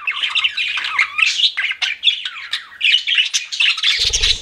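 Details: Budgies kept as pets give a continuous warbling chatter of rising and falling chirps and harsh squawks; a brief low thump sounds near the end.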